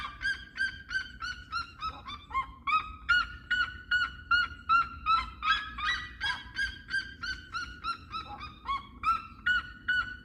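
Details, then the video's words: Red-legged seriema giving a loud, rapid series of harsh, yelping notes, about two or three a second, carrying on without pause like a barking dog. "Como cantam as seriemas"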